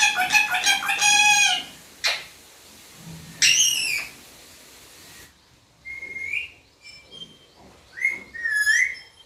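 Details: Talking parrot mimicking the word "papa" indoors: loud harmonic chattering bursts, then a pause and several clear whistled rising and falling syllables.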